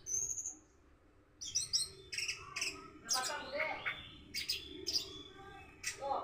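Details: Morning song of an orange-headed thrush practising a 'rock and roll' style: after a thin high whistle and a pause, a string of sharp, very high chips and trills, with faint background hum.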